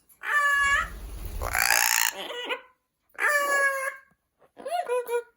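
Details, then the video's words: Pet Amazon parrot indoors imitating the word hello, harmonic voice-like phrases with a rasping squawk in between, repeated three times across five seconds. "Parrot Saying Hello | Amazon Parrot"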